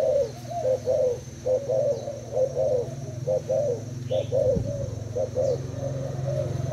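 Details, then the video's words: Caged Thai spotted dove cooing in contest with a decoy. Clipped, bouncing coos in groups of two or three, about one per second, over a low steady hum with one brief knock. "Cu gáy thailand đấu gù mồi trần"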